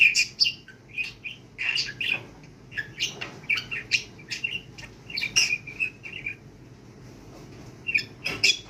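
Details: Budgerigars during talking training chatter in quick, scratchy chirps and warbles, with short bursts and brief pauses.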